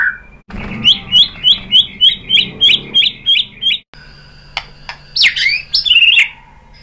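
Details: White-rumped shama singing to provoke other birds: a fast run of about a dozen bright, evenly repeated chirps, then a pause and varied sharp whistled notes and rising slurs.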